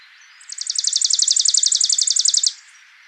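Chipping Sparrow song: a dry, even trill of about twenty quick notes, roughly ten per second, held steady at a high pitch for two seconds.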